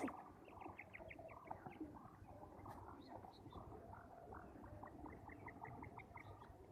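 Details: Male quails calling in the village, bursts of quick high notes at the start and again later, softer and scattered in between, over constant low noise.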